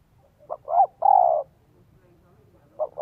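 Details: Lure spotted dove with the 'son 1 cốt' voice, Vietnam. One complete three-note coo phrase ending in a long, slightly falling note, and then the first note of the next phrase begins.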